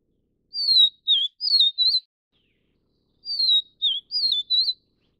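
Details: Vivid niltava, Taiwan subspecies vivida, while feeding chicks: two matching phrases about 2.7 seconds apart, each of four pure whistles. The pattern is falling, dipping, then two warbling notes, with no other noise.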